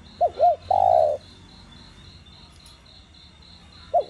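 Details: Spotted dove cooing in the 'đồng gù + thúc' voice to stimulate captive doves: two short arched notes and a long coo, a long gap filled by a high pulsing trill, then the next phrase starting.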